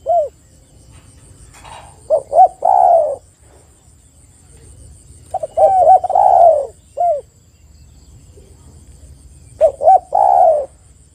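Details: Spotted dove, used as a lure to get other spotted doves calling: phrases of short soft rising notes, then a long wavering coo and a falling tail, repeated after pauses of about two seconds. A faint steady high hiss sits behind it.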